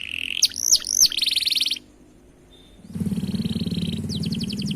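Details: Canary singing its long roll: looping whistles and a buzzy trill, a near-silent pause broken by one thin tone, then a return of buzzing with a low droning hum and a fast, high trill.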